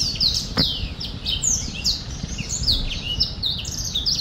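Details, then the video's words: Recorded in 2023, a black-throated finch delivers sharp, high chirps and down-slurred whistles, roughly evenly spaced, with a single brief click-like knock near the start and low background hum. "Black throat finch singing / 黑喉燕歌唱"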